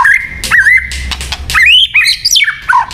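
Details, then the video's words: White-rumped shama song used for luring: a steady whistled note breaks into rapid, bright, bending whistles and twittering, loud and close, with short pauses and clicks. "Suara Burung Murai Batu yang paling baik untuk pikat"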